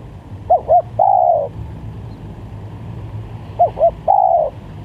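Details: Spotted dove, call played to attract doves: two quick soft coos followed by a longer level-then-falling coo, the phrase repeated after a gap of about two and a half seconds, with steady low background noise.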